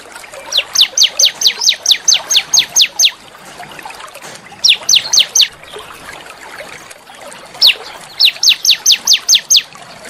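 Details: Training song from a small songbird in a natural setting, played to stimulate shamas and magpie-robins; three bursts of rapid steep downslurred chips, each repeated several times a second, separated by short quiet gaps.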